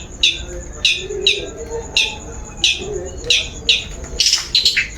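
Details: Lure song of a long-tailed shrike, aimed at prompting a bird to sing: evenly spaced sharp high chirps ending in a denser scratchy flurry, with faint low warbles behind.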